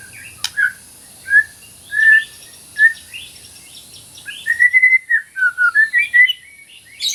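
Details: Masteran recording of a white-rumped shama: spaced single whistled notes about every second, then a rapid run of flowing slurred whistles, with softer high twitters underneath.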